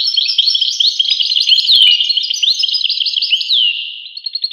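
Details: Goldfinch song: a dense, tinkling chatter of high slurred notes with several sweeping downward whistles, ending in a few short, evenly spaced chips.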